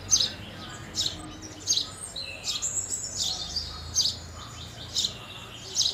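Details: Short, clipped chirps of house sparrows, roughly one per second, with a softer lower note mid-sequence and quiet background noise.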